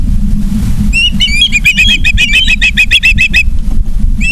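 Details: At a Charlo, Montana nest on a September 2023 evening, an osprey gives a fast, even series of sharp whistled chirps, about a dozen in quick succession, each with a slight upward slur, over a steady low rumble.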